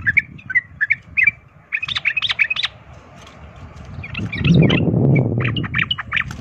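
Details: Sooty-headed bulbul giving the 'ropel tarung' fighting song that makes other bulbuls fight: clusters of quick chirps, partly masked midway by a loud low rushing noise.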